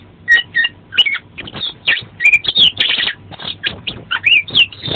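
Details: Kacer, the Oriental magpie-robin, singing an energetic fill-in-rich song for training caged birds: dense loud mix of whistled slurs, scratchy chatter and buzzy bursts, nearly continuous for five seconds.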